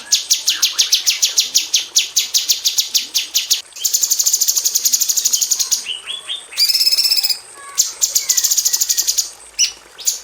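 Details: Female cucak cungkok bulbul in an aviary, a tutor for magpie robins, firing close 'tembakan rapat' series of high clipped notes, a buzzy run, rising slurs, and a nasal harmonic phrase near the end.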